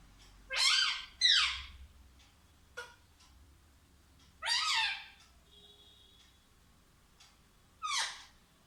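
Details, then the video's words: Talking pet parrot giving four harsh, breathy, meow-like vocal bursts, two in quick succession at the start and then single ones roughly every three seconds, with a faint brief whistle between them. "कितना प्यारा बोलता है मिट्ठू ll Parrot Talking"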